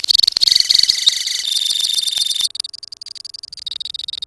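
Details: Lovebirds in a colony give fast, ringing, repeated high notes that merge into a rapid trill, then continue as softer, evenly pulsed chatter.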